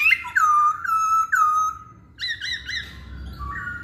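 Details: Poksay hongkong, the masked laughingthrush, singing a lure to make males call: three loud descending whistled slurs, then a trio of quicker rising notes and a soft closing whistle.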